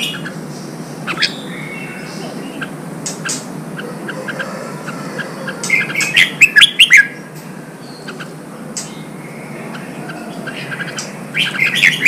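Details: Singing Red-whiskered bulbul in Vietnam, a newly caught bird coaxed into song as training for singing contests. Sparse chirps, then a fast, loud cluster of warbled notes near the middle, a quieter stretch, and another bright burst at the end; low hum throughout.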